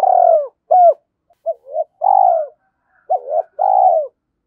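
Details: Low, smooth spotted dove coos from a decoy bird: long falling notes broken by brief clipped ones and a soft double note, in a clean, quiet setting.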